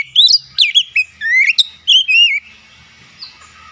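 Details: Oriental magpie-robin, a kept bird, delivering a rapid run of sharp, slurred whistles and chirps for about two seconds, then fading to near silence with one faint note.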